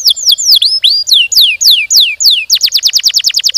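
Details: Canary in full, energetic song with long rolling phrases: repeated downslurred whistles sweeping from high to mid pitch, then a fast even trill of short notes at about three per second toward the end.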